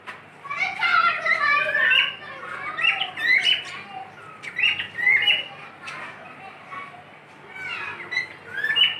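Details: Whistling from a pet cockatiel: a busy run of warbled, sliding whistles and short chirps, some harsher squawk-like notes, and bursts of activity separated by quieter gaps over several seconds indoors.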